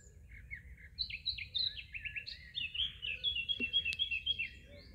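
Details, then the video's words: Eurasian blackcap sings a quick, varied warble of rising and falling whistled notes, mimicking nightingale phrases, over a low steady rumble. "Blackcap mimicking Nightingale"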